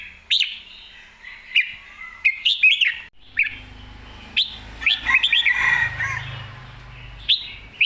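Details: Excited Red-whiskered bulbul delivers a string of crisp warbled phrases with snappy clicks and slurred notes. A low hum runs in the background midway.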